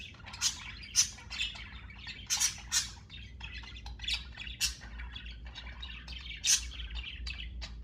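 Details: Budgerigars in a living room in the morning chatter in a busy stream of scratchy chirps, squawks and bright warbled notes.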